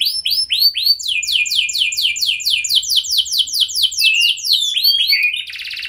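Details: Canary singing to trigger a response from other canaries: spaced upswept chirps speed into a steady series of broad swooping notes, then a fast twittering phrase and a short buzzy burst.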